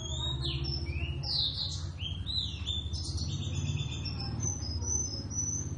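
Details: Two Javan Oriental white-eyes in ngeriwik practice song: clear high whistled notes that rise and fall, some swooping up sharply, then a thin sustained twitter, all over a constant low droning hum.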